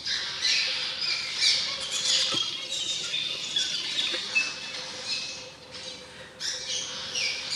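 Cliff swallows chatter and squeak together in a dense, continuous twittering of high, harsh notes, with many birds calling at once.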